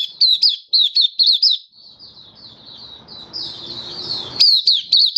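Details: Malaysian white-eye (mata puteh) singing happily in 'buka' style on a warm, sunny day in Singapore, 20 March 2023. Bursts of bright, high chirps, a subdued warbling passage over background noise, then renewed sharp chirping.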